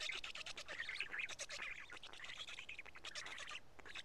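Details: Black stork nest at Karula, 31 May 2017 shortly before 1 pm, chicks taking pieces of two big fish; fast, noisy, rasping chatter running almost continuously, fading slightly toward the end.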